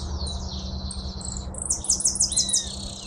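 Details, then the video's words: Hooded siskin delivering a sustained buzzy warble, then a crisp series of about six rapidly repeated high notes, with a constant low hum underneath. "Jilguero argentino"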